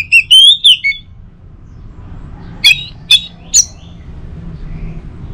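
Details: Orange-headed thrush sings a rich, quick warbled phrase, then three sharp, high, sweeping notes about half a second apart over a quiet background. It is offered as a lure recording to prompt other birds to sing, said to work well in the morning.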